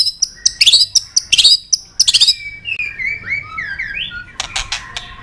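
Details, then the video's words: Training song of a white-rumped shama with forest voices and tạch tail-flicking clicks: clustered high chattering bursts, then a soft series of slurred whistles, then sharp clicks and a thin sustained note. "Luyện Nhiều giọng dài cho chòe lửa cực chất. chòe lửa kéo dây đảo nhiều giọng rừng. tạch đập đuôi"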